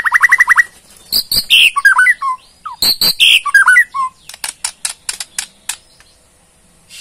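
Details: Bornean white-rumped shama running through its repertoire: a fast buzzy trill, then loud mixed whistles and harsh notes, and finally a string of crisp clicking ticks that slows and fades.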